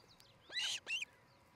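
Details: Osprey at its nest in Charlo, Montana, captured by nest cam on a July 2018 morning, gives two harsh, squealing high notes, the second with a rising whistled end, after a faint thin whistle.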